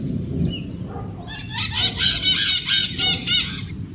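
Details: Maritaca parrot calling: after a quiet start, a run of about six loud, rasping squawks at a steady rate of roughly four per second over a low background rumble.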